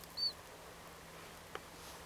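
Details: Siberian Chiffchaff (Phylloscopus collybita tristis) ringed at Flommen, Falsterbo, Sweden, October 2010, utters one brief, high, even-pitched peep at the start, then a faint click and a low steady hum.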